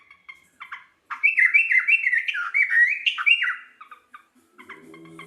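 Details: Local sooty-headed bulbul singing actively: a loud, liquid run of bubbly whistled phrases, notes sliding up and down, lasting about two seconds, framed by brief sharp chirps and a faint low hum.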